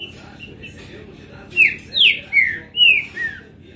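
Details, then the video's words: Green-winged saltator, a kept bird, recorded 22 April, delivering a phrase of five bright whistles, mostly falling in pitch and spaced about half a second apart, over low background hum. "Trinca ferro zero um mostrando oque sabe fazer!"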